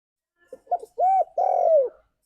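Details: Spotted dove calling its companions with a single phrase: two quick short notes, a rounded coo, then a long, smooth, gently falling coo.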